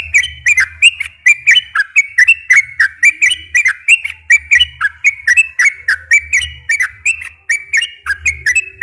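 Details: Sooty-headed bulbul, a long, lively 'gacor ropel' song meant as a lure to get untrained captive bulbuls singing: bright whistled phrases, each a quick rising-then-falling flourish, repeated without pause throughout, over a faint low hum.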